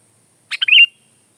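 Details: Single short phrase from a sooty-headed bulbul in full song: a couple of buzzy chips lead into a wavering, liquid whistle that trails off. Quiet background.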